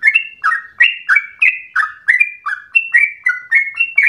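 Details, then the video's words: Rapid, persistent chatter of a sooty-headed bulbul, meant to stimulate and train singing: evenly spaced bright whistles, each dropping slightly, alternating high and low about three times a second without pause. "Trucukan gacor ropel ngotot narung emosi"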